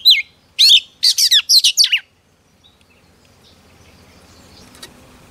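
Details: Female Oriental magpie-robin singing to provoke a male: an opening note, then a fast string of about six sharp chirping phrases with falling sweeps, followed by quiet low background noise and one faint click.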